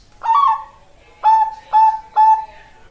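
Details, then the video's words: Bangkok-type zebra dove, a female calling to a male, kept as a lure song. One wavering rolled coo is followed by three short, level, mellow notes at about half-second spacing. "Master dan Pancingan Perkutut Bangkok"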